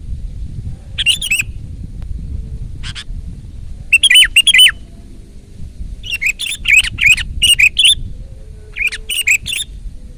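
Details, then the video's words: Sooty-headed bulbul in full loud song, delivering a run of quick chattering, bubbly phrases in irregular bursts, some clustered tightly together, with gaps between groups, against a quiet background. "ISIAN BURUNG KUTILANG GACOR MEWAH !! SUARA KERAS"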